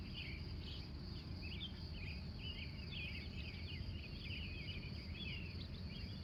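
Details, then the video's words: Montana dawn chorus from Glendive, USA, captured live from 3:45 a.m.: chattering, twittering bird notes repeated throughout, set against a steady high-pitched insect hum and low background noise. "The Wild Morning Birds Of Montana"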